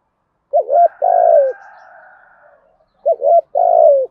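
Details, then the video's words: Spotted dove giving the methodical 'thúc gù' cooing style in a 'giọng thổ' voice: a short two-part stuttered coo, then a longer falling coo with a faint drawn-out overtone, repeated after a pause in the same pattern. "cu gáy thúc gù bài bản giọng thổ cực hay"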